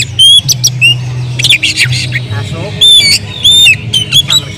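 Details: Oriental magpie-robin singing in an agitated state as a lure to provoke other birds. It gives sharp, high whistled notes and short buzzy bursts in irregular clusters over a constant low droning hum.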